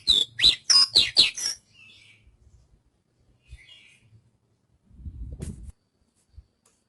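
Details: Javan bush lark singing a short burst of about six quick, sharp chirping notes lasting under two seconds, then near quiet with a faint low rustle and a brief dull thump.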